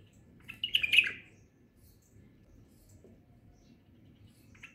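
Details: A white-eared bulbul visiting a window gives a short burst of bright, chattering notes lasting about a second, then near silence with a faint note at the end.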